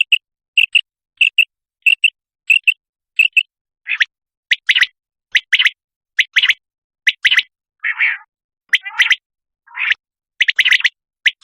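Common quail calling with short, sharp, high notes in quick pairs and triplets, repeated about every half second, then louder and harsher toward the end.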